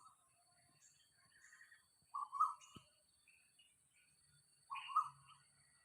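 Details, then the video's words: Asian koel in natural surroundings next to a house at about 6:40 in the morning on 4 October 2022, calling twice with rising two-part mid-pitched notes a few seconds apart, faint chirps and a brief knock also heard. "เสียงนกกาเหว่า - นกกาเหว่าร้องเสียงแบบนี้ครับ"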